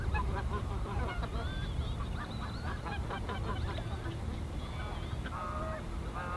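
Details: Greater white-fronted geese calling in the NSG Ahsewiesen nature reserve, 17 February 2019 at 14:50; a busy chorus of short yelping and honking notes over low rumbling background noise.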